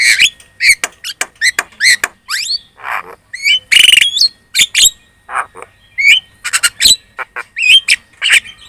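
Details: Javan myna (jalak kebo) chattering lure song aimed at making other birds respond: dense mix of sharp clicks, short whistled upslurs, nasal squawks and a loud rasping burst, delivered rapidly and continuously.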